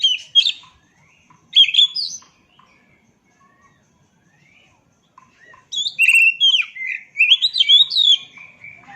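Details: Kacer, the oriental magpie-robin, in natural voice: short chirpy phrases, a long near-silent gap broken by faint notes, then a lively run of sweeping, warbling whistles.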